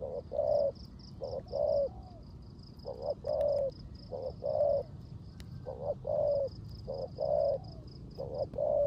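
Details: Rain-soaked session of a caged decoy spotted dove giving 'rước gù' coos: repeated pairs of a brief low note and a longer rounded coo, evenly spaced, over rain rumble and a pulsing high buzz.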